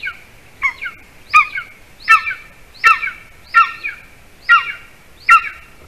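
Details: Golden eagle calling at a camera-watched nest in Latvia on 06-12-20 at 8:42 p.m., when the adult male brought a larger bird for the chick; eight sharp, ringing two-part yelps at a steady pace of about one every 0.7 seconds.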